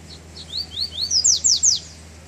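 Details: Song of a double-collared seedeater emerging from moult, heard on its first outing in chilly weather: four upslurred whistled notes accelerating into three loud, raspy descending strokes, over low steady background noise.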